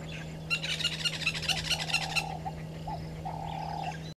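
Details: Woodland kingfisher, one of a mating pair at a waterhole in Sabi Sand, South Africa, 06:15 on 13 December 2022; a fast run of about nine ringing notes, followed by lower hoarse calls from another animal and a steady hum.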